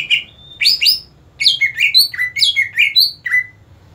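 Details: Captive greater green leafbird judged ready for song competition, singing loud, varied phrases: a sustained whistle, then rapid chirps and slurred notes jumping between pitches in quick bursts.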